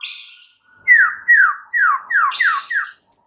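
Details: White-rumped shama used as a lure to excite other birds: a rapid series of six sharp downslurred notes, about three per second, followed by a high whistle.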